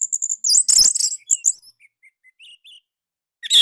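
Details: Orange-headed thrush lure song for training other birds: a loud burst of high rapid chirping notes, then soft, spaced whistled notes and a final sharp call.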